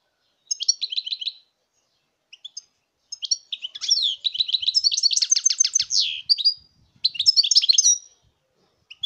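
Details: European goldfinch singing, recorded in 2019: bursts of rapid, tinkling twittered notes, high and bright, with several phrases running together into a longer jumbled stretch in the middle and a short break between groups.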